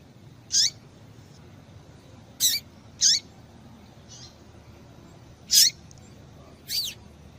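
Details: A female Double-collared Seedeater gives short, high, thin chips, about five spaced irregularly one to two seconds apart, over faint hiss. It is a female call used to stimulate males to sing.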